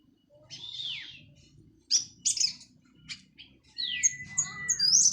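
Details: Recently moulted Orange-headed thrush from Cililin delivering 'plong' and 'teler' song: a descending slurred whistle, sharp high notes, then a long drawn whistle with bright chips above a low steady hum.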